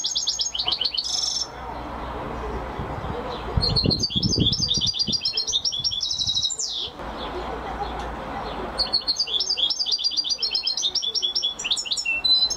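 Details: Champion European goldfinch in full song, long runs of rapid tinkling, chattering phrases and high buzzy trills, broken by short gaps with low rustling or knocking noise.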